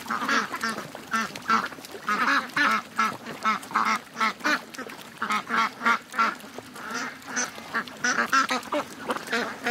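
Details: Hundreds of ducks and geese on a morning rush to the lake, more than 700 birds in total; dense overlapping quacks and honks in rapid, uneven bursts, the whole flock calling at once with no pause.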